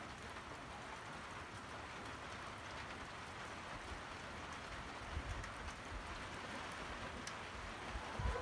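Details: Quiet, even rain-like hiss with a few soft knocks and no animal voices.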